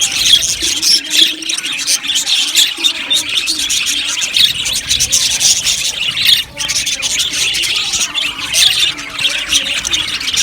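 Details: Budgerigars chirping as a colony in an aviary, a dense unbroken wash of high warbling twitters and squeaky chirps from many birds overlapping throughout, with no pauses.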